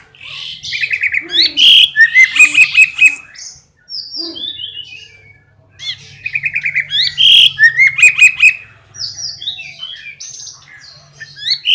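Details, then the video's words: Rolling, loud and ringing cililin song for teaching white-rumped shamas: two bursts of rapid chattering phrases with bright piercing whistled notes, separated by a short gap and softer scattered chirps. "Masteran Cililin Gacor untuk Burung Murai Batu"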